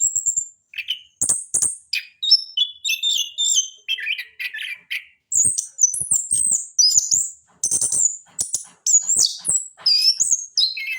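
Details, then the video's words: Orange-headed thrush singing trotol, for training other birds: a continuous medley of sharp high whistles, buzzy notes and quick downslurs, rising and dropping between phrases over eleven seconds. "AK TROTOL WAJIB DENGAR SUARA BURUNG INI"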